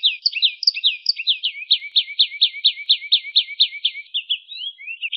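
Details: Canary singing in a lively, full-voiced style meant as a tutor song for other songbirds: a steady run of quick, sharp downward-sweeping high notes, about two per second, ending in brief twittering phrases; no other sounds.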